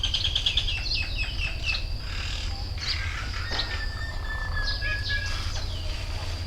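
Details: Birds singing in natural surroundings on the bank of the Mekong river: bright chirps, trills and downslurred whistles, with a long thin whistle held through much of the clip over a steady low rumble.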